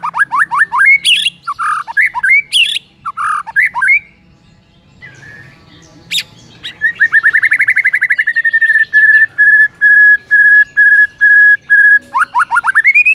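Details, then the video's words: White-rumped shama singing in the morning: varied rising whistled phrases and harsh squawks early on, then a long rapid train of repeated short notes, steady and clipped, ending with rising sweeps. "MASTERAN MURAI PAGI HARI INI"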